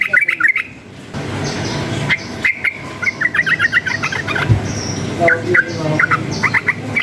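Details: Wild yellow-vented bulbul singing energetically, said to be stirred up by surrounding noise; bursts of short bubbly whistled notes around mid pitch come in quick clusters, broken by gaps, over a steady background hum.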